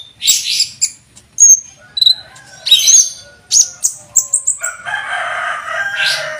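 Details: Olive-backed sunbird master song for training cage birds, in cucak jenggot style. Varied high chirps and short whistles, then a harsher, rasping chattering phrase near the end.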